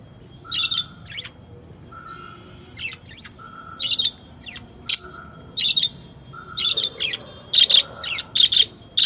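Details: Lovebirds chirping in a series of high, shrill, clipped chirps, some doubled, coming faster toward the end, over a steady mid-pitched tone that repeatedly switches on and off.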